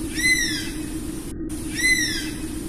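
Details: Two clear, bright whistled calls of an Oriental honey buzzard, each gently rising then falling, about one and a half seconds apart, with a low constant hum underneath.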